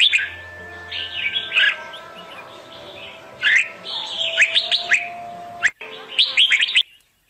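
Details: Red-whiskered bulbul singing as a decoy for trapping and to spur other bulbuls into song: continuous lively warbled phrases broken by sharp chirps, ending abruptly, with faint steady tonal hum underneath.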